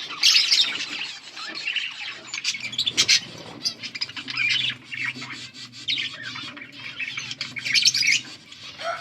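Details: Budgies chirping, recorded August 15, 2024: steady scratchy warbles and chirps from several birds, louder bursts at the start and end, a soft low hum underneath.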